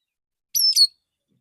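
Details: In the morning, a male Oriental magpie-robin sings a relaxed lure song to call other magpie-robins. A single very high two-part phrase follows: a thin whistle, then a brief buzzy twittering note, with silence around it.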